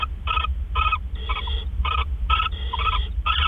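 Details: Owls at a nest during a predawn food delivery on April 12, 2013: rapid harsh, raspy hissing bursts, each about a fifth of a second, repeated about twice a second with some longer screeches, over a constant low rumble.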